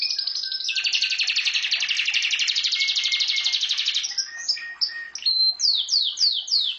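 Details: Pet canary in full song: a fast buzzy trill of several seconds, followed by brief whistles and a series of sharp downward-slurred notes repeated rhythmically.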